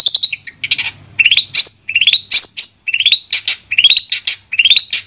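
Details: A Long-tailed shrike in sound therapy for a non-singing bird delivers rising slurred whistles and harsh chattering notes, each phrase sweeping upward, repeated over a few seconds.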